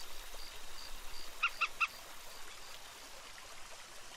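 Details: Common moorhen (Gallinula chloropus) at the Ría de Noia, Galicia, Spain, gives three short, clipped notes, evenly spaced about a fifth of a second apart, over a steady hiss of background noise.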